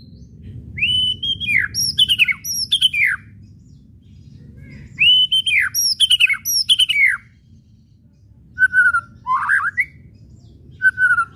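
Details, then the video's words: Kretekan whistles and chatter of a white-rumped shama, meant to provoke shamas into singing: two bursts of rising whistles and sharp falling chatter notes separated by silence, then softer short notes and a scratchy burst. "SIULAN DAN KRETEKAN MURAI BATU BIKIN RIBUT"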